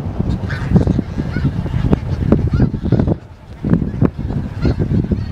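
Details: Many snow geese calling together in Dare County, North Carolina, USA, January 23, 2017: short, repeated barking honks in quick irregular bursts from a large flock, with a brief lull near the middle before the clamor resumes.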